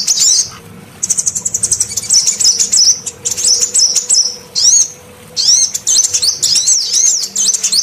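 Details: Female sunbird call used as a lure to draw in males, a bird-trapping recording: high, thin twittering phrases with rapid clicks and wavering whistled notes in bursts, broken by short pauses.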